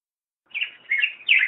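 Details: Three short, rich warbled notes from a black-headed grosbeak in quick succession, with a slight soft background hiss.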